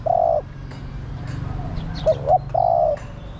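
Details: Female spotted dove calling the male, said to call all day: a long level coo, then two short notes leading into another drawn-out coo, low-pitched and mellow over a soft hum.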